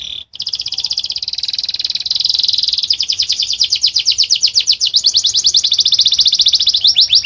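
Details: Male canary singing to teach young birds: a long, high, buzzy sustained trill that breaks into rapid repeated notes, steady and loud throughout.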